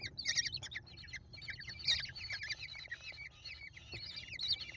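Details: Hungry American kestrel chicks, a brood of five being fed by their mother at a nest box cam, 28 May 2021, give thin, wheezy downslurred squeals and scratchy chatter in a busy overlapping chorus.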